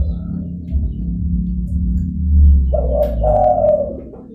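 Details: Zebra dove lure call: a low droning background dominates at first, then a two-part rolling coo enters in the last second and a half.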